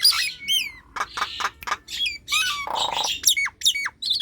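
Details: ['Nias hill myna singing, meant as a lure for sluggish birds kept at home: varied sequence of sharp descending whistles, grating squawks and a low buzzy rasp, delivered in quick irregular bursts.']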